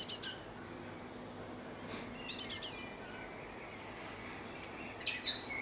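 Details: Great tit in a garden on 11 May 2014: short bursts of two or three thin, high notes, spaced about two seconds apart, over a quiet background hiss.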